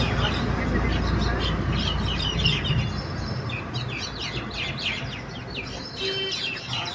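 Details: Mynas fighting with each other in the middle of a street: sharp chirps and scratchy notes come in quick bursts over a steady low rumble of road noise, with one brief tonal note near the end.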